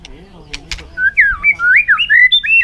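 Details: Competitive singing from a fired-up white-rumped shama in afternoon sun: a few soft clicks, then a flowing chain of clear whistled slurs rising and falling in quick succession.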